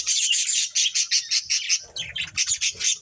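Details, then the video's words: Budgerigar breeding pair: a quick run of evenly spaced sharp chirps, about a dozen, then a rougher, buzzier chatter with soft low rustling. "Cute Budgies Chirping Sounds | Love Birds Breeding Pair"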